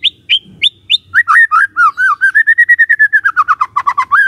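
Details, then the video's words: Lure song of a white-rumped shama meant to provoke rival shamas: four short rising whistles, then a rapid rolling string of clear warbled notes that swings gently up and down and ends on an upward slur. "Dalam Hitungan DETIK Murai Cepat NYAMBAR❗ Pancingan Murai Batu"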